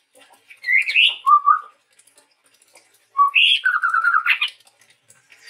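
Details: Male chestnut-rumped babbler, a Sumatran forest bird, in full song: two whistled phrases about two seconds apart, each mixing higher slurred notes with a lower, rapid warbling run, and silence between phrases.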